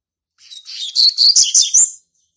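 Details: A young male Double-collared Seedeater, born in March 2019, marks its territory with a quick run of high, buzzy, tumbling chirps that rise in loudness through the phrase.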